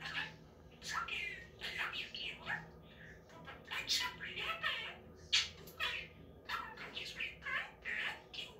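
A budgerigar chatters in rapid, scratchy bursts of mimicked speech mixed with chirps and squawks.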